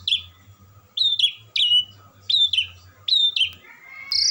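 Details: Asian pied starling, a kept songbird, singing on and on: loud phrases of sharp downslurred whistles repeated about every half second, ending in a longer flat whistle, over a low humming background.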